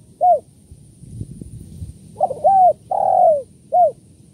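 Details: Spotted dove (tekukur) luring call in the kuk 1-2 pattern: a short coo, a pause with faint tapping, then a rising stutter, two coos, a long sliding coo and a short closing note.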